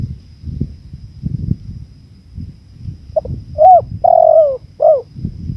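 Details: Spotted dove cooing over a backdrop of natural wind: after a soft short note come three mellow, low hooting coos, the middle one longest and falling slightly, while gusty rumble continues throughout.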